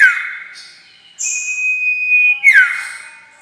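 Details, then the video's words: Common iora call used as a lure for trapping birds: a drawn-out steady high whistle held for over a second, then a sharp downward-sliding note, with brief buzzy overtones in between. "Pancingan suara pikat burung sirtu"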